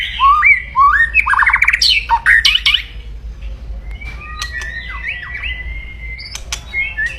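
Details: White-rumped shama's loud aggressive crackling song for provoking rivals: rapid harsh stuttering phrases and downslurred notes, followed by quieter whistled slurs and scattered clicks.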